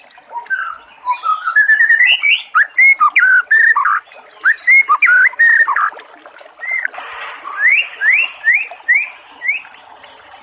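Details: Wild white-rumped shama song beside trickling water: a climbing ladder of short whistled notes, then varied fluty phrases, and finally a series of five upward-sweeping whistles repeated about every half second, with constant water hiss behind.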